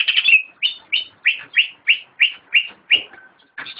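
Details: Caged greater green leafbird, locally cucak ijo, delivering a series of loud slurred whistles, each falling quickly, repeated roughly three times per second with a brief rasping opener and a soft trailing note.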